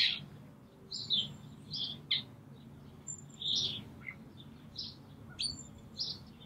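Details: Calling and singing Brambling recorded at Green Moor on 24 March 2019: spaced, clipped high chirps and short thin whistles, arriving in loose pairs about every second against quiet low background noise.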